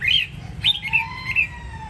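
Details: Red-whiskered bulbul of the Sông Kon line, Quảng Nam, Vietnam, producing a brief burst of sliding whistled notes followed by a thin drawn-out tone, with steady low background noise.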